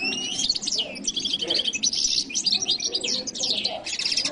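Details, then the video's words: Steady, lively singing from a jilguero latino: high tinkling twitters, rattled trills and thin rising whistles strung together in a quick, unbroken flow. "canto de jilguero latino"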